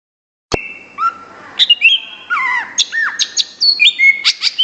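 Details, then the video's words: Greater green leafbird (cucak ijo) in full contest-level song: bright whistled notes slurring up and down, sharp downward sweeps and quick chirps, with a long high whistle opening the phrase. "SUARA CUCAK IJO GACOR JURNAS"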